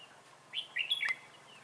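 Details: Red-whiskered bulbul serving as a trainee trap decoy, 11 December 2016; one short rising-and-falling warbled phrase ending with a sharp click, over faint background hiss.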